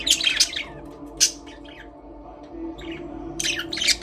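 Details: Budgerigars in an aviary, singing and playing: loud bursts of harsh, scratchy chirping at the start and end, a single sharp squeak in between, and a quieter stretch with low background hum.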